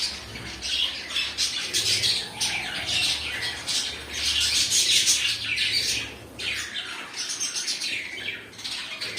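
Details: Pet cockatiels indoors giving harsh, noisy chattering squawks in irregular bursts, with wing-flapping sounds between calls.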